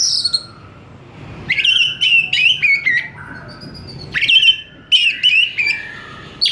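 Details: Responsive oriental magpie-robin (kacer) in full 'gacor' song: high whistled phrases with sweeping and trilled notes, delivered in several separate bursts with short silences between.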